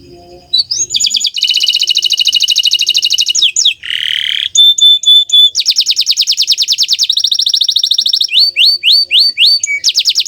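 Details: Varied song of a bottle-green canary: long high buzzy trills, a lower harsh passage, a pure sustained whistle and rapid rolled tours, ending in a series of downslurred whistles.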